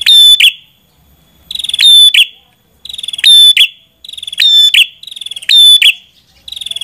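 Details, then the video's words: Red-headed prinia song: each phrase opens with a pulsed, rattling lead-in and ends in a sharp, buzzy, high-pitched burst with a thin whistle. Five phrases come about every 1.3 seconds over quiet background. "Suara Burung Prenjak Kepala Merah"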